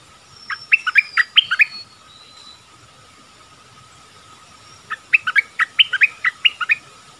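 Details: Streak-eared bulbul: two separate bursts of rapid, uneven chirping notes that jump in pitch, split by about three seconds of near silence. A faint steady tone runs throughout.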